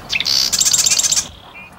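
A marsh wren gives a short, high song: a few scratchy introductory notes, then a fast, dry, buzzing rattle lasting under a second.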